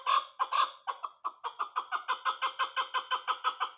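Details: Chukar partridge, a female bird kept as a hunting lure, giving a rapid series of harsh clucking chuck notes, about two per second, accelerating into a steady rhythmic chatter.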